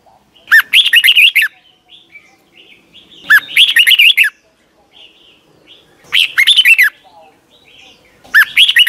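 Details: Red-whiskered bulbul song used as a morning lesson for young caged birds; four clear phrases of looping whistled notes, each under a second long, coming roughly every three seconds with faint chatter between.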